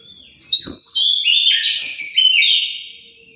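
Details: Oriental magpie-robin song played to make other birds answer: after a soft click, a loud two-second phrase of sweet whistles, rapid twitters and sliding notes, tapering at the end.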